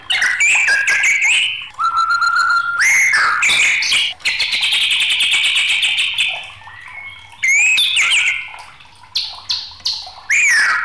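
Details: Agitated white-rumped shama in full song: loud varied whistles, rapid clicking trills and a long buzzy sustained phrase, with repeated rising and falling notes at a dense pace and little pause.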